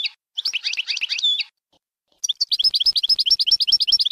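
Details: European goldfinch Bainam Gazrat song for young birds to learn: a scratchy twittering phrase ending in a clear whistle, then after a pause a long run of fast, evenly repeated bright chirps.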